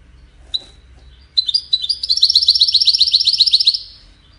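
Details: European goldfinch song: a couple of isolated high chips, then a fast, even run of bright, metallic notes rattling on for over two seconds before stopping abruptly; quiet room background.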